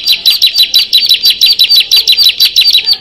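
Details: Bar-winged prinia, six birds, singing loud rapid chirping phrases, high notes repeated about five times a second, each a quick down-slurred chip, steady and unbroken throughout.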